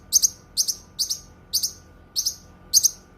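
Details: Cucak kinoi song for tutoring songbirds and therapy: six high, buzzy double chirps, evenly spaced about half a second apart, over faint background hum.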